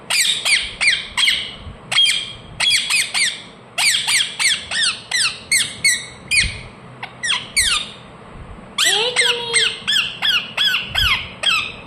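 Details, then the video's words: Ring-necked parakeet, a pet talking parrot, chirping rapidly: dense runs of piercing, downward-flicking notes in quick clusters, with a brief lower whistled note partway through, for about twelve seconds. "Ringneck parrot Chirping sounds"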